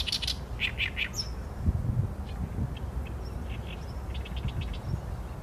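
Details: Oriental reed warbler song captured on a Sony A7M3: a loud burst of grating, churring notes opens the phrase, followed by softer, scattered chirps and low rumbling background noise.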